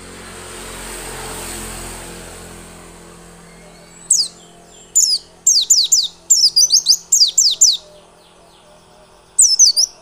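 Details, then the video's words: Lure song of a white-eye to spur singing: traffic-like rumble and hiss for four seconds, then clustered bursts of high, quick descending chirps, a gap, and a final short burst. "Pancingan pleci biar gacor dan ngotot."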